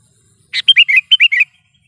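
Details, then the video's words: Lively Sooty-headed bulbul, used as a lure and tutor call: one harsh rasping note, then a quick run of six liquid, gurgling whistled notes that dip and rise, delivered in under a second against a quiet background. "suara burung KUTILANG GACOR"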